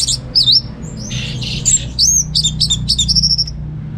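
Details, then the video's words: Orange-headed thrush kept at home in Singaraja, North Bali, singing in the chattering receh style: sweeping whistled notes, then a clipped, rapid string of high metallic chips and a level trill. A low steady hum runs beneath. "Receh & Jos Suara ANIS MERAH Berkicau"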